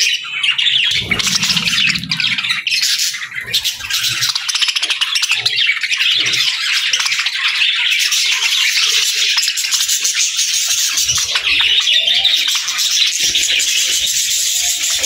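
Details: Budgerigars keep up a long, lively chorus of squeaky chirps and rapid warbles, with a low rumble underneath around the first two seconds.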